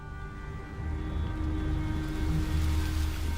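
Steady instrumental music with a deep low drone and sustained tones, no animal voice audible.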